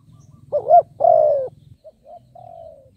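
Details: Spotted dove decoy calling for wild doves, one loud two-part coo, a wavering short note then a long falling coo, followed by softer, fainter coo notes trailing off, over a low hum.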